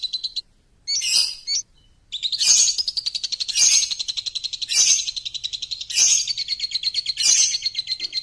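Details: Champion lovebird lure song: a couple of short squeaky notes, then a sustained rapid trill punctuated by loud harsh screeches roughly every second.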